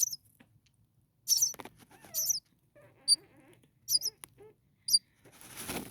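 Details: Six common starling nestlings, day four in the nest, huddled together on a cooler night; short high squeaky calls come in separate bursts about every second, with soft rustling between them.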